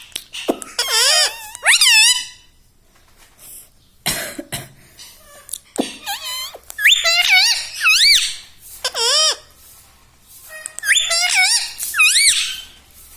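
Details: Green ringneck parrot kept as a pet, said to say mummy, papa and radhe radhe; repeated loud nasal word-like phrases with swooping pitch, grouped in bursts of two or three, separated by short clicks and pauses.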